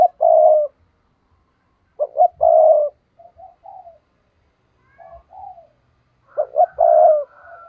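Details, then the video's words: Spotted dove used as a decoy to provoke and lure wild doves, voice style 'giọng thổ'; three mellow phrases, each two quick clipped coos then a longer rounded coo, every two to three seconds, with soft low murmurs between. "Chim cu gáy mồi chuẩn thúc kích bổi nhanh nổi hiệu quả"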